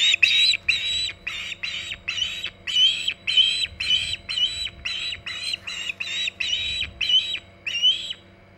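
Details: Osprey calling at the Hog Island nest on 14 August 2019 near 11:45 am EDT: a steady run of about sixteen harsh, squealing notes, roughly two per second, each with a brief whistled upturn, above a low constant hum.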